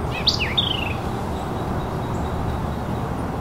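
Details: White-eyed Vireo singing from forest lining Sugar Creek, Northwest Arkansas: one quick, emphatic phrase of sharp high notes ending in a slurred, falling whistle, over steady low wind-like rumble.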